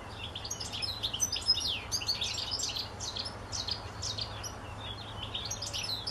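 A European goldfinch sings a fast, liquid twittering of tinkling and slightly buzzy notes, running almost without pause over a low, steady background hum.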